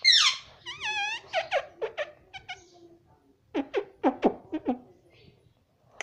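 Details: Young pet ringneck parrot talking indoors, saying "mummy" in a series of short, nasal, speech-like syllables, opening with a wavering squeaky note, then a pause and another quick run of clipped syllables.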